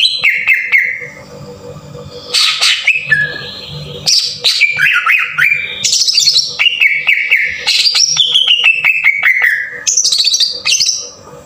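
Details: Green leafbird lure song to stir other leafbirds into full song, harsh style: long continuous medley of whistles gliding down, sharp flicks and buzzy high bursts, with a steady faint hum.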